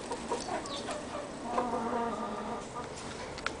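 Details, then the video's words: White-faced Black Spanish hen laying eggs, giving low, soft clucking notes amid steady background noise. "Gallina de cara blanca / White faced chicken"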